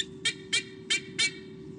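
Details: A female White-bellied sea eagle at her nest in 2015, Sydney Olympic Park, gives four harsh, high honking notes about a third of a second apart. She is defending her chicks against an intruder, probably a Southern Boobook owl (unconfirmed). A low hum runs underneath.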